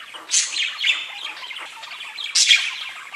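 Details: Pet budgerigar with loud, harsh, high chirps at the start and near the end, joined by softer continuous warbling chatter between them.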